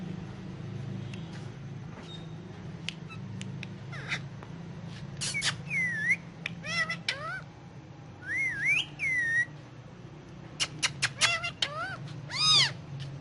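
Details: A pet Indian ringneck parakeet talks on pillows, chattering in bursts of clicks and sliding, whistled, speech-like phrases in Urdu/Hindi, with short pauses between them, over a steady low hum.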